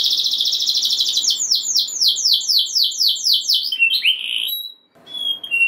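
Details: Canary song to stir other canaries: a fast high trill giving way to slower descending swept notes, then short whistled notes, a brief silence and faint thin whistles.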